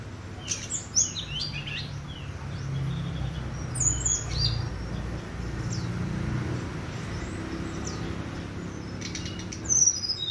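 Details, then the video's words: Brown-chested jungle flycatcher on a bright, clear morning, giving scattered high, sharp chirps and short sweeping whistles near the start, middle and end, with a constant low hum and rumble underneath. "Sikatan rimba di pagi hari yang cerah"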